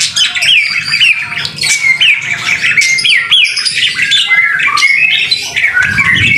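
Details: Vigorous white-rumped shama song in the rain, a masteran recording: a series of bright hooked whistles repeated about once a second, mixed with harsh squawks and chirps, over a low rumbling background.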